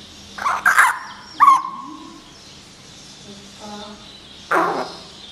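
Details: Pet common hill myna, May 2015, attempting conversation with its owner; abrupt harsh bursts, one with a trailing whistled tone, separated by quieter speech-like voicing and indoor hum.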